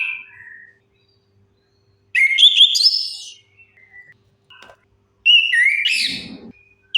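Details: Orange-headed thrush lure song meant to start silent birds singing. Two loud, dense bursts of sweeping whistles and scratchy trills, about three seconds apart, with faint soft notes between them.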